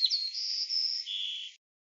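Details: A single sparrow phrase of clean whistles: a brief upslurred opening, then sustained high notes that drop to a lower held tone before stopping abruptly. No other sounds are present.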